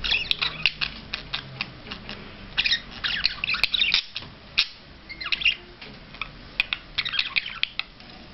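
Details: Budgerigar during a courtship display, giving a fast chattering warble of sharp clicks, squawky notes and short squeaks in dense bursts broken by brief pauses.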